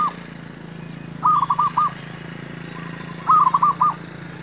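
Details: Male zebra dove used to draw in wild birds for trapping. Two rolling coo phrases of several quick notes about two seconds apart, with faint high bird chirps behind a low hum.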